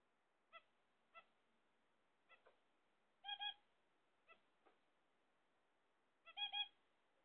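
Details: Kept zebra finches awaiting eggs make brief nasal beeps roughly every second, some sharp and thin, others fuller doubled honks, in a quiet room with no other clear sounds.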